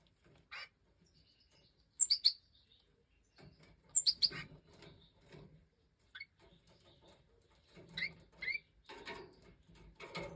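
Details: European goldfinch in breeding season: sparse, thin, high chirps in quick pairs and triplets near two, four and eight seconds apart, with soft rustling and handling noise between the bursts.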